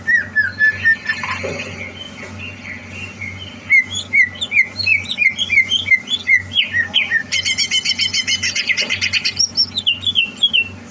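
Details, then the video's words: Greater green leafbird in preparation for a singing contest, 30 November 2022: descending whistles give way to a long run of rapid, evenly spaced chirps, then a dense buzzy rattling passage and falling whistled notes, all over a faint low hum. "Suara Burung CUCAK Hijau"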